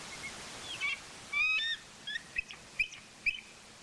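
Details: Mating eagles in Maine at 06:23 on a Friday morning give a few squealing, slurred notes with overtones, followed by short sharp chips spaced roughly every half second, over a constant hiss.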